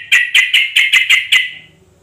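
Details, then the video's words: Yellow-vented bulbul gives a quick run of seven harsh, chattering notes, about five per second, then falls silent; a call used to lure other bulbuls into answering song. "Suara pancingan trucuk agar bunyi gacor tiap saat"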